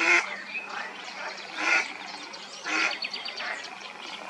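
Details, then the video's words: Mallard hen calling out to her mate, giving three loud rasping quacks about a second apart, with quieter chattering notes in the gaps. "Mallard is calling her soulmate / Stockente ruft ihren Seelenverwandten"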